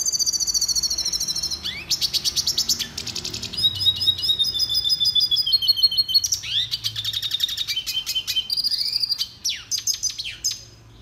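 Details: Red siskin (Spinus cucullatus) song for training captive birds: a fast, high twittering run of buzzy trills, rapid chip series and thin whistled slurs, changing phrase every second or two, with no other sounds heard.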